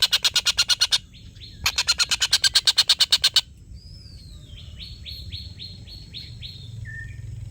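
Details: Long laughing call of a collared kingfisher, recorded as tutor material for competition songbirds. Bursts of harsh repeated kek notes, about three per second, give way to a softer bird's series of short rising whistles.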